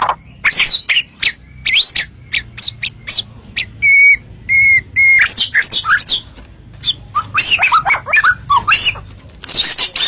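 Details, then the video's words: Masteran song of a white-rumped shama, played to make other birds answer: sharp upslurred whistles and harsh notes, three steady clear whistles in the middle, then quick falling and rising whistled phrases. "MASTERAN JUARA BIKIN BURUNG IKUT HACOR"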